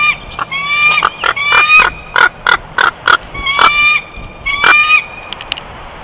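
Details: Chortling bald eagle on a Big Bear nest camera, 12 June 2021. Quick staccato squeaks alternate with rising, whistled piping notes, bunched in bursts of four to five with short pauses between.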